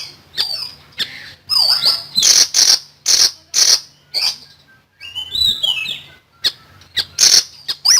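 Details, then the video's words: Loud, lively common iora song used to tutor songbirds: strings of harsh, rasping bursts alternating with high gliding whistles and sharp clicks, repeated in quick succession over eight seconds. "BURUNG SIRI SIRI GACOR FULL NEMBAK"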